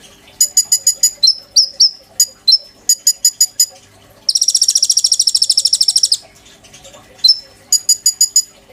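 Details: Caged oriental magpie-robin in full song as a tutor bird for white-rumped shama. Clusters of sharp, bright chips and thin level whistles give way to a two-second rapid, rattling trill, then more chip series.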